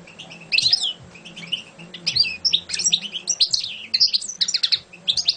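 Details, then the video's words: Champion European goldfinch song: lively, high, scratchy twitters and quick metallic chirps tumbling in uneven clusters throughout, over a soft low-pitched hum. "Şampiyon Saka Kuşu"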